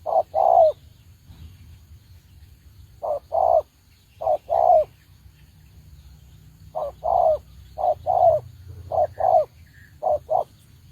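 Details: Spotted dove used as a decoy bird for trapping, calling in paired low cooing notes, a short coo followed by a longer one, repeated in bursts with brief pauses between groups.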